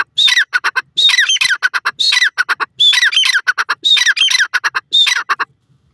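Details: Grey francolin (teetar) calling loudly: harsh, squawking phrases of rapid stacked notes, each opening with a high note and sliding downward, repeated about six times in five and a half seconds against a quiet background.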